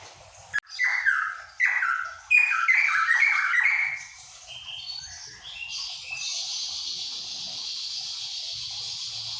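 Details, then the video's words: Cucak pantai of Papua delivering a few seconds of fast, rich descending notes, then fading into a steady high hiss or insect-like buzz. "Burung Cucak Pantai Endemik Papua"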